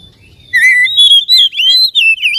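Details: Caged white-rumped shama song meant to provoke another bird to sing and spread its tail: after a thin, faint opening note comes a run of clear, fluting whistles that rise and fall in quick succession.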